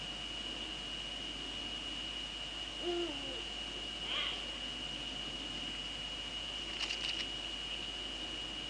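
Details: Eurasian eagle-owl in the Netherlands, 2 February 2013 at 19:15 in the evening, female at the nest with the male nearby: one short low harmonic call bending downward near three seconds, then a faint rasp, over a steady high whine and scattered clicks.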